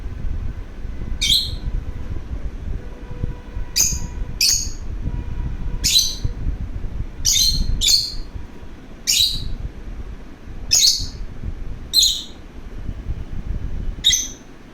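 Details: Lovebird wanting to play calls with about ten short, piercing chirps at irregular intervals, sometimes in quick pairs, against a quiet low hum.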